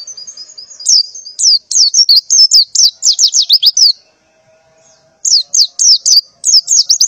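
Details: Morning calling of a white-eye female in breeding condition: a fast series of sharp, high descending chirps, a brief silence, then more clipped chirps resuming.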